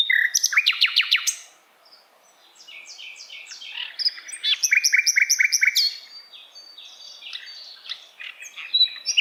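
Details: Tutor song of an Asian brown flycatcher for training songbirds: bursts of rapid descending chips, a soft scratchy pause, then a loud run of repeated sharp notes followed by high squeaky twitters.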